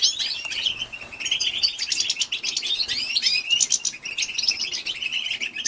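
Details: Continuous bright twitter from a female European goldfinch calling to stimulate males, with rapid, high chirps and rising, tinkling phrases throughout.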